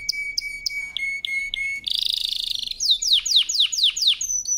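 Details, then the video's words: Canary in powerful song: a few clear repeated notes over a thin steady tone, then a dense buzzy trill, then a run of quick downward-sweeping whistles. "CANARY SINGING POWERFUL SONG | CANARY SINGING FOR TRAINING"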